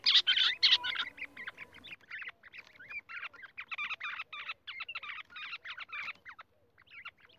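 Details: Rock bush quail in a rapid, chattering run of many short notes, opening with loud, harsh bursts and then continuing more softly.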